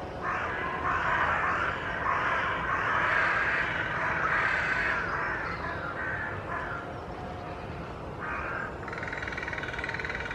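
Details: A gathering of carrion crows in the largest tree of a wood in Hull, displaying and tail fanning without aggression, calling over one another with harsh, hoarse caws in overlapping bursts and a steady background hiss.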